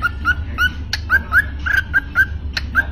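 A cockatiel gives a run of short, clear whistled notes, several each second, some slurred upward, with a few sharp clicks over a low hum.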